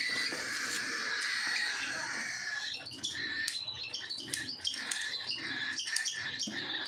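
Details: Several cockatiels at feeding time give a steady run of short, clear whistled calls with bright upper tones. Soft clicks and rustling from moving birds run through the whole stretch.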